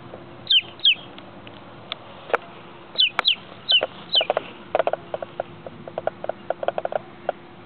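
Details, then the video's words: Peeping baby chicken giving a few high downslurred peeps, then a spell of soft clicks, taps and rustling from handling or movement. "Peeping Baby Chicken"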